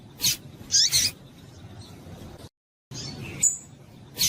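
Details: Female double-collared seedeater calling: a few short, high, sharp chips spaced irregularly, with a brief silent break midway. Quiet low hum in the background.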